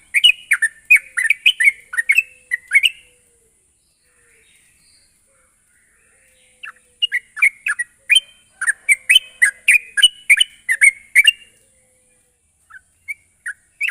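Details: Sooty-headed bulbul singing as a lure to coax a bird into steady song: two runs of rapid, liquid, chattering notes separated by a pause of a few seconds, ending with scattered single notes.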